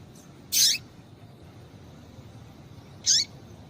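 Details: Short high chirps from a female rusty-collared seedeater used to stimulate and warm up a male, two notes about two and a half seconds apart, each ending in a downward slur; little else audible.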